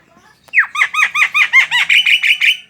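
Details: Singing Javan myna, used to coax other mynas to sing: a downward slur launches a rapid series of about ten harsh, buzzy repeated notes that grow denser toward the end.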